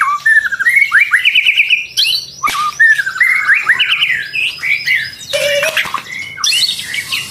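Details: White-rumped shama, twice moulted, singing a loud, varied song: rapid rising and falling whistled phrases, trills and sharp chips, broken by short pauses and shifting abruptly between high and mid-pitched figures.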